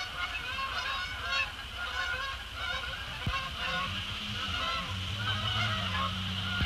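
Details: Resident and migratory Canada geese coming down on Sapsucker Woods Pond after sunset, loud clustered honks early on, then lower grunting notes as calling continues, over background hum.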